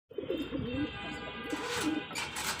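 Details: A pair of pigeons: soft low cooing phrases with gently rising and falling tones run through the recording, over a hissy, noisy background.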